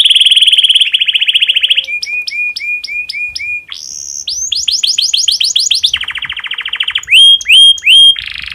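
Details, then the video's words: Domestic canary in breeding condition, song meant to make other canaries sing quickly: fast trill, a row of repeated chips, a sustained whistle, cascading downslurs, a buzzy roll, and three piercing high whistles. "PANCINGAN KENARI BIRAHI cocok untuk merangsang burung kenari supaya cepat bunyi"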